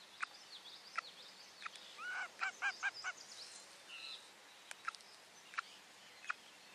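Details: Common loon mother on her nest platform on a lake, alerting at something out on the water while her second chick hatches beneath her, 9 July 2023, nest camera. A brief quavering series of about six rapid pulses, amid scattered sharp chips from other birds.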